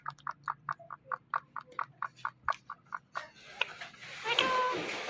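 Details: Talking ring-necked parrot kept as a pet, giving a rapid string of about fourteen short clipped syllables, roughly two per second, then a burst of broad rushing noise near the end.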